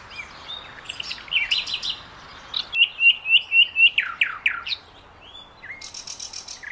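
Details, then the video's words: Common nightingale song, varied and rich, opening with chattering notes, then a run of about seven rapid, loud piping whistles, followed by falling slurred notes and a dry rattle. "Sonido del ruiseñor"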